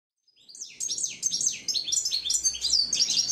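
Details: Hooded siskin singing: a fast run of high, sweeping twittered notes, rising and falling slurs strung together with few pauses, growing busier toward the end; quiet low background hum.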